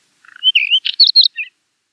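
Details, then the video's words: Song of a Finsch's wheatear, which breeds on barren rocky mountainsides: low soft notes, then sweet whistled slurs broken by a burst of harsh scratch and high chattering notes, about one second long. "Finsch's Wheatear - Songs"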